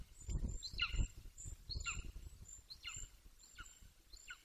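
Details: A juvenile male Golden Eagle, 18 weeks old, calls close to its Bucovina nest with a run of five high, falling yelps, irregularly spaced, over gusty low rumbling wind.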